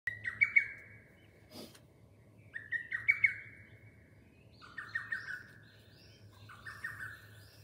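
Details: Lesser cuckoo calling: loud whistled phrases of quick descending notes, each phrase sliding down in pitch, given about three times across the stretch with short pauses between, over faint low background hum and a brief knock.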